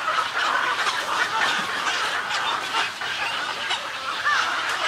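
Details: Snowy egret colony giving colony and greeting calls: continuous harsh gargling chatter from many birds, with a short wavering squeal near the end.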